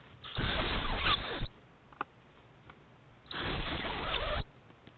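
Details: Two owlets beg competitively as their mother feeds them a snake or eel at breakfast, 7am on 7 March 2010: two harsh hissing bursts about a second long, roughly three seconds apart, with faint clicks and shuffling between.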